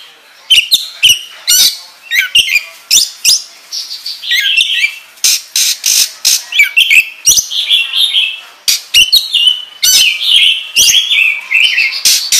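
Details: Oriental magpie-robin, kacer, in full rapid song used as a training lure: dense varied phrases of sharp whistles, chips and buzzy notes mostly high-pitched, with clicking sweeps between bursts and no pauses longer than a moment.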